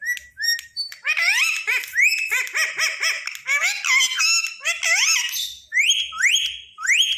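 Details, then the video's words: Indian ringneck parakeet kept as a tame pet, chattering and whistling to get its owner's company: dense run of bending, wavering harmonic notes followed by a series of clipped upward-sweeping whistles. "green parrot talking"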